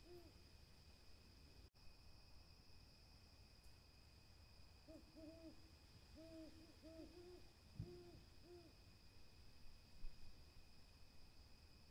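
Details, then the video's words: Several seconds of low hiss and a sharp click, then an owl starts a quick series of short, rounded low hoots, some paired, about eight notes over four seconds. A steady high buzzing drone continues under everything. "calming owl SOUNDS"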